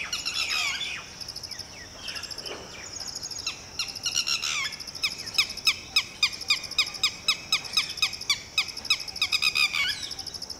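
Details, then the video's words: Red-wattled Lapwing (titehri) parent warning its freshly hatched chick to duck and hide: a long series of clipped, piercing notes, at first jumbled, then evenly spaced about three per second, with a constant high whine behind. "Lapwing chick is newly hatched yet has the ability to run and hide, on Mama's orders!"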